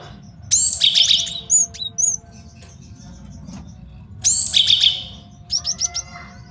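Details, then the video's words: Master song of a male Java sparrow for trapping and training birds: two high, ringing trilled phrases with whistled sweeps, separated by soft chips and a quick run of clicks. "MASTERAN GELATIK BATU JANTAN BAGUS BUAT MIKAT DAN MASTERAN BURUNG JAWARA"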